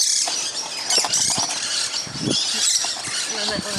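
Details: Musk lorikeets noisily feeding together in a fruiting tree on Christmas morning. Dense high squealing chatter continues throughout, with a person's low voice murmuring underneath.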